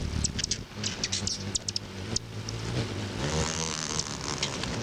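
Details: Aggressive hummingbirds give sharp, high chips in quick bursts over a low, throbbing wing hum, with a steady background rumble like distant traffic.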